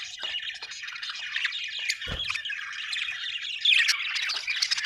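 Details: Budgerigars in a steady run of warbling, chirping chatter with scratchy squawks woven through, one soft thud in the middle and a louder burst of chirps toward the close.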